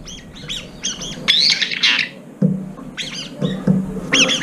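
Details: Several brown-eared bulbuls, late arrivals crowding a nearly empty feeder, fight and fly up while competing for the last food. Harsh, shrill squealing screeches come in short bursts, with a low steady hum beneath.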